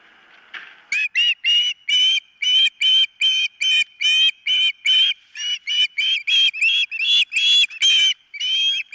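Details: Osprey calling at its nest, caught by a nest camera on the morning of 4 September 2023: a long, steady series of sharp whistled yelps, about two or three a second, becoming more rapid near the end.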